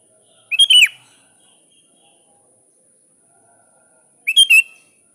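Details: Sooty-headed bulbul, calling a rival: two short bubbly whistled phrases about three and a half seconds apart, each a quick rising then falling pair of notes, with faint high hiss throughout.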